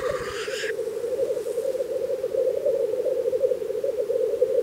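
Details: Black grouse at a spring lek in Russia: a continuous low, dove-like bubbling chorus of rookooing males, opening with a brief harsh hissing sneeze.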